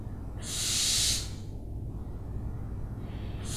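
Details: Owl uttering one breathy, hissing screech of under a second, followed by silence and the start of another screech at the end.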